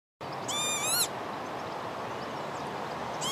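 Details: A northern lapwing with chicks gives a wheezy, wavering call lasting about half a second, and another begins at the very end over a steady rushing background.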